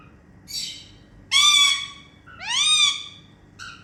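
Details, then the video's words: Indian ringneck parakeets at playtime making happy sounds; a soft chirp, then two loud, drawn-out harmonic squawks that rise and fall, each about half a second long, and a short final note, in a quiet room. "Talking Indian Ringneck Parrots Making Happy Sounds"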